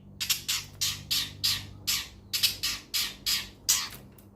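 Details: Long-tailed shrike giving a steady series of harsh, rasping squawks, about ten in four seconds, each a short broadband burst repeated roughly every third of a second, with a faint low hum behind.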